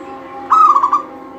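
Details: One brief, fluttering, trilled coo from a singing local zebra dove, a recording meant to get other doves singing. The phrase has quick pulses and a soft hum underneath.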